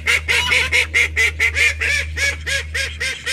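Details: Household flock of thirteen call ducks calling rapidly: loud, raspy, harmonic quacks repeated about twice a second in an uneven run, some calls overlapping, with a steady low electrical hum beneath.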